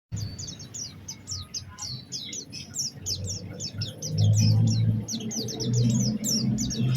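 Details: Oriental white-eye singing a vigorous lure song with special phrasing, meant to prompt other white-eyes to sing: rapid high, thin chirps and short downslurred whistles in a dense run, over a low background rumble.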